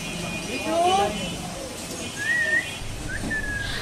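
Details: Common myna, a talking bird said to say "baba" like a human: a wavering low slurred syllable followed by thin rising and level whistles, over a steady background hum.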